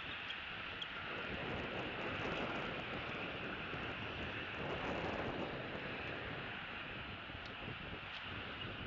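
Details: Steady broadband roar like passing traffic or an engine fills the whole stretch, with no calls standing out above it.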